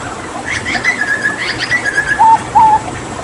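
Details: Hooded butcherbird from Papua, after water therapy, singing a quick run of whistled notes sliding downward, with a few clicks, ending in two louder mellow whistled notes.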